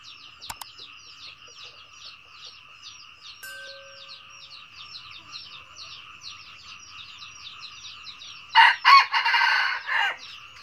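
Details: Red junglefowl crowing near the end: one loud, harsh, broken crow lasting about a second and a half, after a long stretch of steady, rapid, high chirping from other callers that continues throughout.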